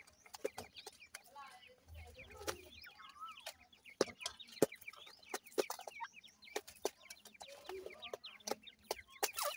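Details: Several grey francolin (teetar) chicks peep while feeding: many thin, high, twittering chirps overlap with frequent sharp clicks throughout, plus a brief low rumble early on.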